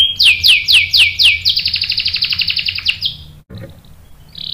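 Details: Canary singing as a lure to make other canaries answer with rolling song: several loud swooping notes, then a rapid buzzy trill lasting over a second, a brief pause and a fainter steady tone.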